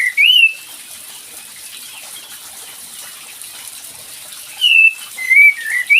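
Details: Kapas tembak bulbul lure call, used to draw a quiet bird into singing: a clear whistled note, then after a long pause a burst of short slurred whistles, some rising, others falling, over steady background hiss.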